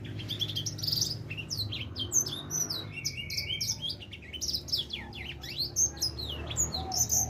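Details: Edel sanger finch, a four-month-old bird just starting to sing: rapid twittering song of high, sharp chirps and slurred whistles, with a short level trill near the middle and a low hum beneath.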